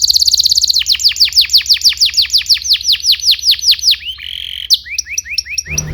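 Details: Domestic canary in full song, a master track for training juvenile birds: a fast opening trill slows into steady, evenly spaced downslurred whistles, followed by a short sustained note and a few scattered chirps.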